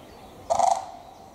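A common crane gives one brief, loud, rolling trumpet note with a slightly rattling edge, lasting about a third of a second against a quiet background.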